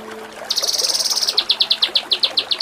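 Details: Kinoi song for contest-bird tutoring: after a brief quiet start, a loud continuous buzzy rattle gives way to strong, evenly spaced chirps repeated about eight times a second.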